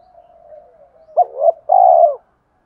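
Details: Spotted dove phrase from a full song said to stir up other doves: quiet low murmuring first, then two short coos and a drawn-out, rich coo that fades quickly.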